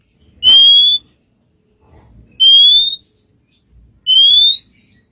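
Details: Relaxed Oriental magpie-robin song meant to goad a less eager rival into responding; three clear rising whistles, each about half a second long, spaced roughly every 1.8 seconds, with faint low rumble between them.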